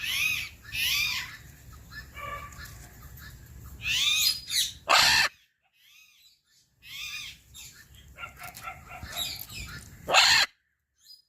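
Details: Macaw kept in a cage, producing repeated harsh, raspy squawks in bursts, several ending in loud grating screeches, separated by short silences.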